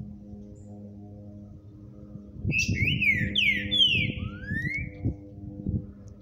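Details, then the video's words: Green-winged saltator (Saltator similis) sings one brief phrase of rich, slurred whistles, rising and falling over about three seconds, above a steady low hum and some soft knocks. "LINDO canto desse Trinca Ferro"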